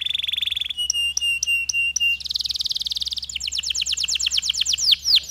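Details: Canary in long, fluent song with pauses, played to stimulate stressed canaries. Changing sections follow one another: a steady buzzy trill, spaced clicking pips over a held tone, a dense high rattle, then rapid looping whistles.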